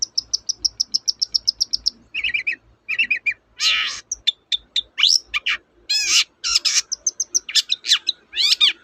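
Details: Long-tailed shrike lure song to make a hesitant bird sing: a fast even trill of high ticking notes, then lower chattering notes, followed by a varied mix of harsh bursts and rising whistles.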